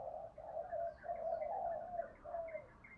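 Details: Spotted dove in 'hạp bổi' voice cooing and calling, heard faintly and at a distance: a run of soft, blurred mid-pitched coos over steady background hiss.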